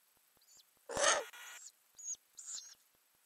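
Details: Ural owl inside a nest box with growing owlets, filmed by a camera under the lid in May 2020; thin, high hissing squeals come in short bursts around a loud scraping rustle of movement in the box.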